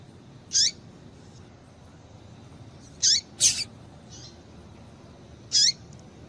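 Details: Female Double-collared seedeater giving calls to stimulate males: sparse, thin, high notes with downward slides, spaced several seconds apart, one closely followed by a slightly different buzzier note.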